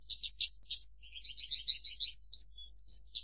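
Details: Song of the Javan bush lark: a few sharp high notes, then a fast rolling chatter of doubled syllables ending in thin drawn whistles.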